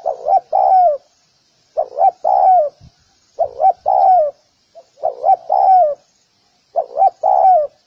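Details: Repeated cooing of a spotted dove used to train doves: five phrases, each a double short coo followed by a longer descending one, evenly spaced about every one and a half seconds, with a faint click.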